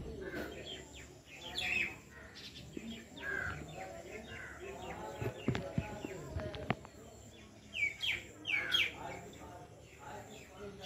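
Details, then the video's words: Oriental magpie-robin singing and flying, giving varied, sweet whistled phrases, short and irregular, rising in a brighter burst near the end, over background voices and a few clicks. "Oriental Magpie Robin Bird"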